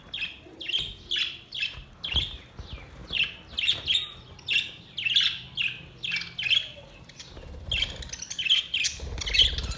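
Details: Budgerigar song dated 22 May 2023, a steady run of squeaky chirps and squawks nearly twice a second, some notes overlapping as if several birds call, over a low room hum.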